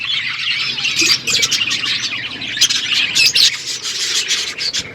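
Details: Feeding parrots chirping, February 25, 2024: busy, overlapping high chirps with sharp clicking notes scattered through a constant chattering chorus.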